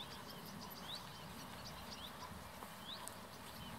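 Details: Common reed warbler singing from reeds very close to the Bijleveld canal north of Kockengen, Utrecht province; quick upslurred and downslurred chirps in irregular series, with a broad hiss of wind or ambient noise underneath.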